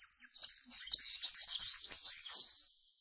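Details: Common linnet song: a quick, high, twittering run of varied chirps and buzzy notes that carries on for nearly three seconds before it stops.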